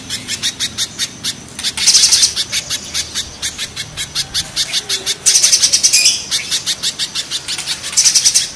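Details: Mountain versus banana spiderhunter comparison; here a spiderhunter gives rough, harsh song. Evenly spaced piercing chips alternate with three loud, buzzy, rattling bursts.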